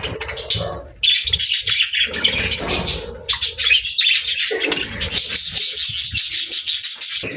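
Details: Pet budgerigars and lovebirds chirping together while eating: dense, continuous high twittering and chattering chirps with buzzy warbles, many birds calling at once, plus some low knocking sounds.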